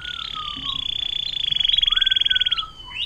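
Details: Atlantic canary, long 'air mancuran' song used as tutor material for songbirds: a fast, loud, pulsing trill swelling in volume, with a low whistled slide beneath, ending in short notes.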